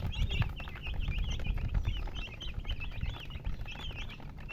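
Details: High, looping chirps from several chickens repeat through the recording, partly masked by louder low-pitched thumping and rumbling noise.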